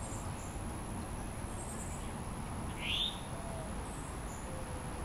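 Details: Northern cardinal in Diamondhead, Mississippi, July 2016, where a male feeds a juvenile; one sharp upward-slurred note at mid-clip stands out against a steady noisy background.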